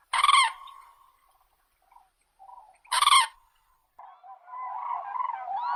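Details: Crane trumpeting: two loud, ringing, strongly harmonic calls about three seconds apart, with softer short notes between and a rising, rolling chatter of further calls at the end.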